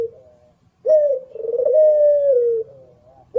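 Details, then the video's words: Barbary dove of the local puter pelung type singing its competition song: after a quiet lead-in, one long purring coo with a rippling start, held level and then falling gently at the end, with a new coo beginning. "Masteran Puter lokal power rapet jernih 1 jam non top"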